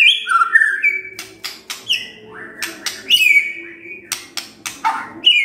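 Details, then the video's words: Shama song for the morning, aimed at getting a silent shama to respond: high sliding whistles alternating with short harsh bursts, repeated through the clip over a low steady hum. "Pancingan PAGI-PAGI AGAR MURAI GACOR❗ murai diam pasti ikut NYAUT❗❗"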